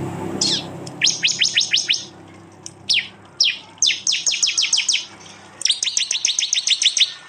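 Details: Prinia song from an edited East Java mix of prenjak, jali and mountain prenjak voices recorded on an Android phone: short high whistled sweeps, then bursts of rapid sharp ticking notes in three fast series.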